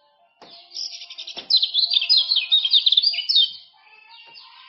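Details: Tutor song of a male common iora from Lombok, aimed at getting silent birds to sing: a burst of quick high chirping notes lasting about three seconds between quieter passages.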